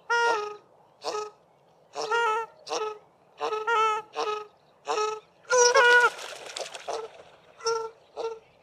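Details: A pair of South African shelducks duetting at sewage ponds at Mayfield, Grahamstown, with the male's lower honk and the female's higher call. Loud nasal honks repeat roughly every second in short bursts, with a denser, rougher stretch midway.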